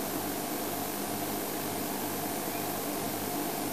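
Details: Constant loud engine or fan hiss with a low hum, and no animal sound heard.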